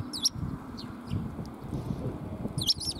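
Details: Sparrows arriving for food at a Tenmangu shrine's front approach, 17 March 2021; sharp, high chirps near the start, a couple of faint ones in between, and a double chirp at the end over low rumbling background.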